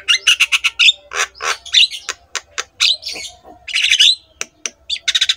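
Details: Javan myna pouring out master song to encourage silent mynas to sing: rapid ticking notes opening into harsh chatter, buzzy squawks and a whistled flourish, ending with another burst of fast clicks.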